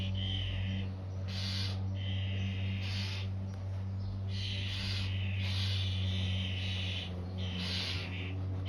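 Starling nestlings give raspy, hissing begging calls in overlapping bursts, roughly one or two a second, over a steady low mechanical hum.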